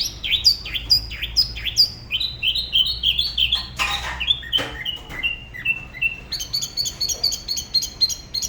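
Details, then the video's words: Spot-throated babbler in Da Lat, Vietnam, singing solo by the La Ba river: sharp falling whistles, a run of lower slurred notes, a brief harsh noise, then rapid high chipping trills. "Tiểu mi La Bá hót solo/ Spot-throated Babbler the best solo La Ba river"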